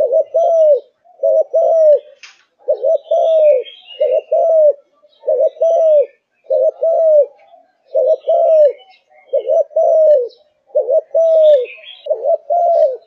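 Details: Kept Malaysian spotted dove, singing from morning to night in top form: a long, regular run of mellow low coo phrases, double note plus longer arched coo, about every second, faint chirps above.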